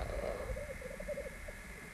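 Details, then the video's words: Rackelhahn hybrids fighting on a black grouse lek in spring 1994 at Landvik, Grimstad, Norway: a two-second string of low, rounded bubbling notes that slowly fade, over a steady background hum. "3 hybrids ( rackelhahn) fighting on a black grouse lek in 1994"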